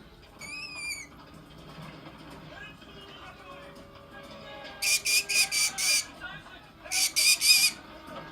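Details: Green-cheeked conure giving harsh, grating squawks in two short bursts of four to six rapid notes, after a brief whistled note near the start. Faint background hum and a person's voice nearby.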